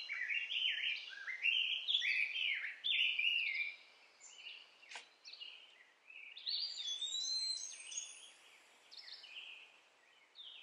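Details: Young sunbird found in a backyard, being hand-fed orange and mealworms: rapid, high, thin chirps and short rising-falling notes tumble almost continuously in busy bursts, with a brief pause near the middle.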